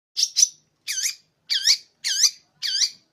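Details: Champion long-tailed shrike from Madura, its tail feathers still ragged and growing, sings high harsh notes with looping, wavering sweeps, given in bursts about every half second.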